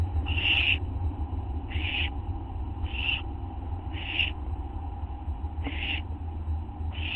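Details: Nighttime owls on a live camera, August 24, 2011: six harsh hissing screeches repeated about once a second over a low steady electrical hum.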